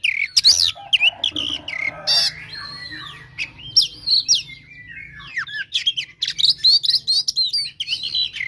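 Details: Oriental magpie-robin singing a fierce battle song used to provoke rival birds, a dense stream of sharp chirps, slurred whistles and harsh buzzy notes, nearly continuous with one short lull midway.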